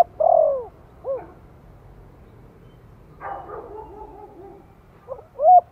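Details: Spotted dove lure calling in the Thổ voice, meant to get newly kept birds calling fast. A long falling coo and short arched note, a rough noisy stretch in the middle, then a new phrase beginning with a hooked coo.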